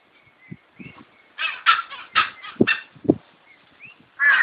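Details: Grey junglefowl (Gallus sonneratii), a bird endemic to India, gives a harsh, broken run of staccato crowing notes ending in a loud burst, with thin whistles of other birds and low thuds around it.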